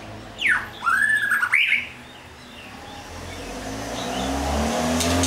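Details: White-rumped shama giving one short phrase of clear whistled notes that sweep down, then up, and waver. A rising vehicle rumble follows and takes over the rest of the recording.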